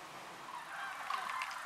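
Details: Common crane of the nominate subspecies Grus grus grus at Lac du Der, France, in November 2015. A brief, loud trumpeting note rings out near the end over soft, diffuse background noise.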